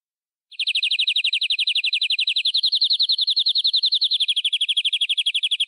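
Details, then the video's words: Local wild-forest canary in full isian song with ornate cengkok phrasing: a fast, even, high rattling trill of rapid repeated notes, steady for about five seconds and dipping slightly lower near the end. "Suara Burung Kenari Lokal Full Isian Durasi Panjang Agar Cepat Gacor!"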